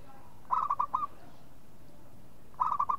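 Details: Two rapid cooing phrases from a local zebra dove, each made of about five short rolling notes, spaced roughly two seconds apart.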